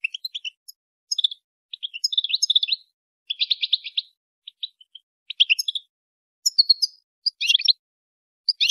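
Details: Mating-stimulation calls of a female European goldfinch: sharp single chirps interspersed with quick, chattering twitter bursts, irregularly spaced over nearly nine seconds, high and clear against silence.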